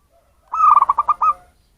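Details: Local zebra dove from the wild, its call used to lure birds: a single short phrase of about seven rapid cooing pulses, even in pitch and bubbling, ending on a slightly longer final note.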